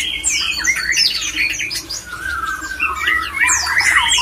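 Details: White-rumped shama male, a mating call meant to stir other shamas into breeding condition: dense rich warbling of sweeping whistles and rapid chattering notes, a long falling whistle midway, faint steady low hum beneath.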